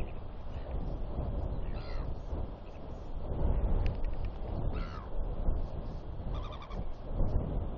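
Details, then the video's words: Northern royal albatross chicks squabbling on a nest, one chick snapping and bill clacking at another that stands its ground; a few short rising and falling calls among wind-like rumbling noise. "Royal Albatross ~ Albie Chick Fight"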